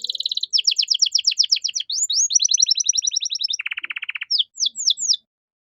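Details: Canary tutor song in 'cengkok mewah' style for training young cage birds: a chain of quick rolling trills at steady pitch, a lower rattling buzz, then a few sharp downward-slurred notes before silence.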